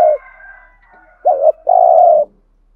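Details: Spotted dove used as a lure for wild doves gives a low wavering double note and then a drawn-out steady coo; a faint high thin tone runs faintly beneath the start.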